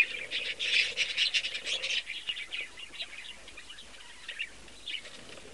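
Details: Young chick peeping from an indoor nest made from an old cabinet. Quick high chirps tumble out for about two seconds, then thin to softer scattered peeps.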